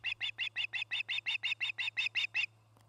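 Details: Osprey at a nest cam in Charlo, Montana, one of a nesting pair, 8 September 2018 around midday: a rapid run of about fourteen sharp, bright chirps over two and a half seconds, then quiet, with a steady low hum.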